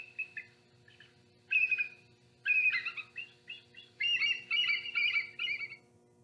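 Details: A bald eagle call played back over speakers during a museum talk: high, thin chittering whistles in quick stuttering bursts, rising into a rapid piping series, over a faint low hum.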